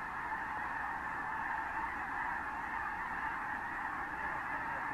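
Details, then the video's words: Thousands of Snow Geese with other species flocking and landing over fields at San Joaquin River National Wildlife Refuge in January 2014; a dense, unbroken roar of overlapping honking calls holds steady throughout. "geese landing"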